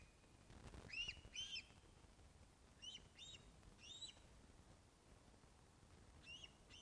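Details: Ospreys at the Loch of the Lowes nest in Scotland, watched by webcam on 21 August 2012 at 16:35 during a fish delivery; faint, short whistled chirps in paired and grouped bursts, spread irregularly over a quiet, hissy background.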